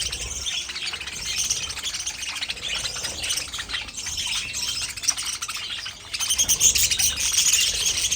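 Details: Budgerigar flock warbling nonstop: rapid, high, buzzy chirps and twitters overlapping constantly, swelling louder in the final two seconds.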